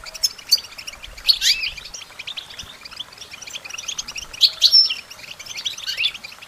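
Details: Goldfinch singing for songbird training: scattered liquid twitters and short whistled notes come in loose clusters, with a constant chatter of other small birds behind.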